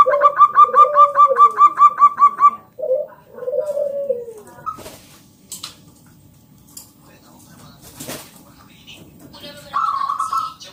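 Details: Loud local zebra dove song used to lure other doves: a fast staccato run followed by two low, descending coos, then mostly quiet clicks and knocks, ending on one short high note.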